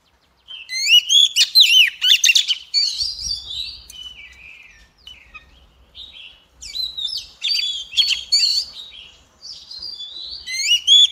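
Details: Oriental magpie-robin singing rich, varied whistled phrases, some sweet and rising, others scratchy, in bursts of a second or two with short pauses between; a lure recording of a bird in full song with tail spread.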